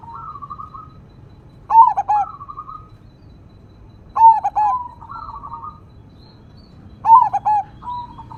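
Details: Zebra dove of the crossing type, chatty and loud, in 'engkel' single-vocal style: buzzy rolled coo notes followed by stuttered trilled phrases, repeated roughly every two and a half seconds over a soft natural backdrop.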